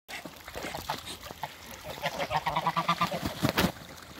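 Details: Mature pair of Toulouse geese meeting after being moved; a run of quick nasal honks repeats about five times a second near the end, with softer clucks and rustling before it.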